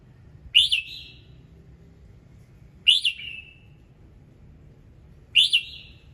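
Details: Red-whiskered bulbul morning song with varied notes, played to get other birds singing: three loud, bright, down-slurred whistled phrases, each with a short fading tail, spaced about two and a half seconds apart.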